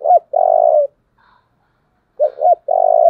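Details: Spotted dove giving a very strong cooing in the thổ voice style, kept as a model decoy bird: short paired notes then a long, slightly falling coo, with a quieter gap before the phrase repeats.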